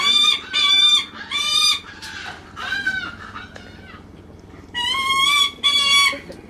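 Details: A captive Lanner falcon at a bird park calls affectionately to its keeper with loud, harsh, wailing calls in bursts of about half a second, with a pause midway, over a low steady hum.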